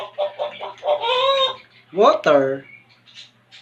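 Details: African grey parrot, a talking pet kept indoors, mimicking sounds on request: short voiced speech-like syllables, then a clucking, fowl-like imitation with rising harmonic sweeps, and a low steady hum behind.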